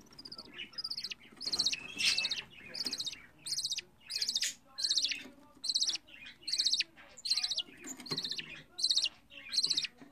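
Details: Budgerigar chick, fourteen days old, hand-raised at home by a hobby breeder: harsh, raspy high chirps in regular bursts, about a dozen over ten seconds, each a short buzzy rasp with brief pauses between.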